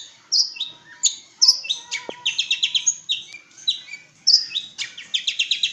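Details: Long-tailed shrike from East Java delivers a varied, high chattering song of scratchy chips and short, quick trills, with brief gaps between phrases.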